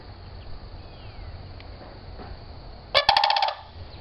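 A sandhill crane gives one brief, loud, rolling rattle of about half a second. It is harsh and trumpeting, with rapid pulses, after a stretch of low rumbling background noise.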